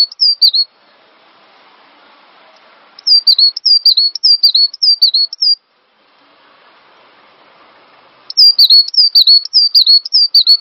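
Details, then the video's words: Master recording of a cinereous tit for tutoring caged songbirds; rapid series of sharp, high whistled notes with a dipping inflection, delivered in three bursts with short silent gaps between them. "Master Burung Gelatik Batu Full Ngisi"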